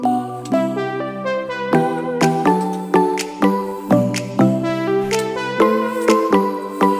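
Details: Melodic instrumental music with steady rhythmic notes and sustained synthesizer-like tones; no animal voice is heard.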